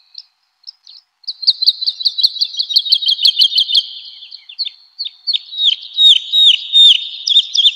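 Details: Woodlark (Lullula arborea) singing in a spring forest: a fast run of high, liquid repeated notes, then slower, drooping slurred phrases, with no other sounds.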